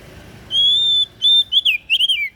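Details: Kacer daput, the oriental magpie-robin, gives one song phrase: a long steady whistle, a shorter repeat, then a rapid run of bouncing, downslurred notes, loud and clear over a quiet background.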